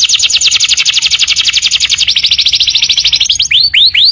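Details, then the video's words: Canary song used as tutoring audio for young birds. A long, rapid, rolling high trill holds steady for about three seconds, then gives way to a few separate curved whistled notes. "audio masteran kenari"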